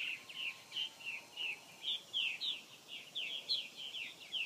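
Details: Purple martins calling at their South Florida nesting colony in 2014: rhythmic bursts of gurgled, burry chirps, about one every third of a second, rising and falling, from a busy group of birds.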